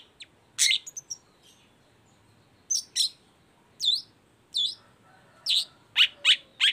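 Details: Long-tailed shrike (cendet baham) singing as a lure to get other shrikes to sing: scattered harsh, high chattering notes and short buzzy bursts with pauses, then a quick run of three sharp descending notes near the end.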